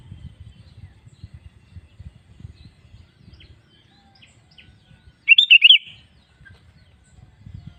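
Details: Song of a sooty-headed bulbul meant to make other bulbuls sing: a single short bubbly, warbled phrase standing out over a low, continuous rumbling background.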